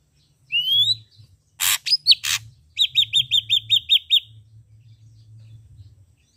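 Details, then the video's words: Red-eyed ashy drongo singing actively: a rising whistled note, two harsh rasping bursts with a short upslurred whistle between them, then a rapid run of eight identical clear downslurred notes, with a faint low hum beneath. "Srigunting Abu Abu Gacor Mata Merah | SAERAN ABU GACOR"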